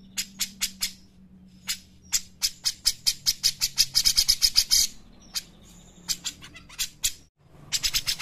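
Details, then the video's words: Grey-cheeked bulbul song meant to prompt and teach other birds: spaced sharp high notes speed into a dense rattling run, then thin whistles and a brief pause before more rapid chips. "pancingan dan masteran cucak jenggot gacor enak"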